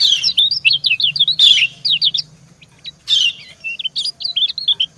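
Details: Female white-eye luring a male, the pair calling back and forth. Rapid strings of sharp downslurred chirps, two noisy bursts breaking in, a short pause, then more jerky high twittering notes.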